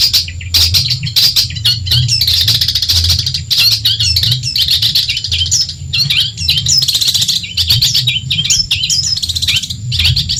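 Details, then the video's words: Long-tailed shrike of Madura, Indonesia, singing a tutor song for training songbirds: a long, varied, harsh chattering run of rapid trills, squeaky whistles and buzzy phrases, with brief pauses, over a low background hum. "Masteran burung cendet Madura asli . Bikin emosi lawan"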